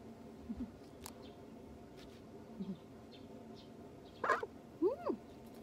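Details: A pet call duck, indoors, passively letting its owner play with it, gives two short, nasal quacks near the end after a couple of faint murmurs, over a quiet background.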